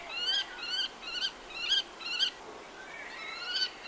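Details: Common kestrel giving four or five harsh, slurred, wavering notes about half a second apart, followed by a softer drawn-out whine, over light background noise.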